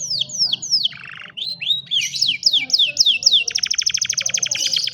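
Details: Canary singing, recorded on a mobile phone as training for a lazy canary: falling whistled sweeps, a brief nasal buzz, more slurred notes, then a fast rattling trill of tightly packed notes.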